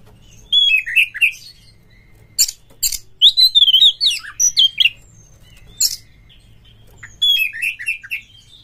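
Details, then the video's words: Oriental magpie-robin (kacer) song used as a lure to bring caged kacer birds into mating mood and full song: varied whistled and chattering phrases in bursts, sharp upslurred notes and quick warbles separated by short pauses. "SUARA PANCINGAN BURUNG KACER"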